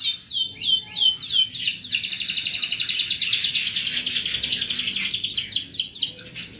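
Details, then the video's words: Canary singing for masteran, used to train other canaries: a series of descending whistled sweeps at the start runs into a loud continuous rolling trill, ending again with falling sweeps. "Buat Masteran Kenari Super Gacor"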